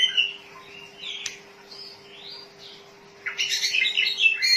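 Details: Oriental magpie-robin with a song used for luring and training: a few soft sliding whistles and a click, a quiet gap, then a dense burst of loud chattering warbles, with a steady faint hum throughout.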